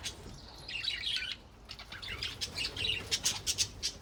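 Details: Budgerigars (Melopsittacus undulatus) singing, chattering in a busy warble of scratchy chirps and squeaky notes.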